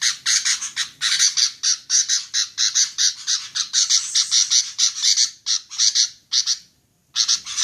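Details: Female sooty-headed bulbul in a lure recording: harsh, scratchy chattering notes repeated rapidly, about four per second, in short bursts, with a brief pause near the end and no other sounds.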